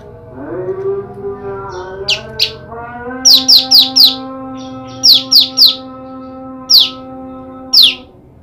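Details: Female olive-backed tailorbird, kept apart from her mate, calling for the male: sharp, high descending chips, in pairs and quick runs of three or four, over a steady low harmonic hum in the background.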